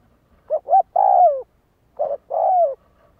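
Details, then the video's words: A spotted dove kept for decoy training coos twice in close succession. The first phrase has two short notes and a long descending coo. The second is shortened to one note plus the falling drawn-out coo. "Tiếng Chim cu gáy Luyện mồi tập bổi chuẩn"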